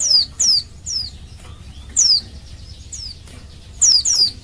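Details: Calling female Oriental white-eye, in heat, whose call is meant to stir males into singing; sharp high downslurred whistles, some doubled, spaced irregularly over a few seconds.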